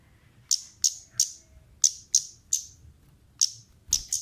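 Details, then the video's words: High, piercing tick notes from a female orange-headed thrush used to lure birds, given in loose groups of two or three with short pauses between. "suara pancingan burung Kemade Gacor pedas"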